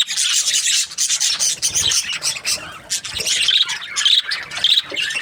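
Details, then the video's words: Happy budgie chatter: scratchy, rasping warble mixed with short squeaky chirps, continuous and fairly loud over a few seconds. "Happy Budgie chirping sounds"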